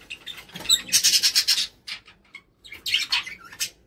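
A kakariki gives two bursts of harsh, rapid, high chattering, with short squeaky chirps scattered between them.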